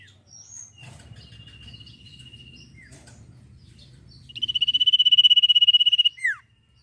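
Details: Training audio of a singing sirpu: faint high whistles, then a loud, rapid, evenly pulsed trill of almost two seconds that ends in a quick falling whistle.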